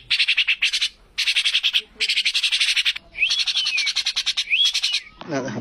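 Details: Common myna, called shalik in India, giving dense bursts of harsh, rapidly repeated chattering notes with brief pauses, then short upward-sliding whistles, and a low rough squawk at the very end.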